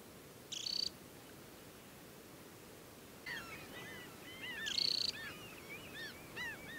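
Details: Temminck's stint, adult in summer, banded, at a mountain lake on Hardangervidda, Norway, in early July; two high, dry, pulsed trills, with another bird's lower, chirping calls repeating in between and after.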